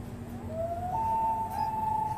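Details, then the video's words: A common loon gives a long, smooth, mournful note that slides upward and then holds steady, over a faint low background rumble. "Loon bird call"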